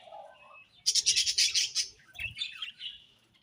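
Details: Pet budgerigars chirping in the morning: after a quiet opening, a burst of rapid, high, scratchy chirps, then a short pause and a second run of thinner twittering notes.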